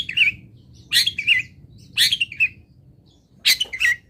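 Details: Local long-tailed shrike singing fill-in song for training songbirds: three grating phrases, each a harsh burst followed by a curling, slurred whistle, spaced about a second apart.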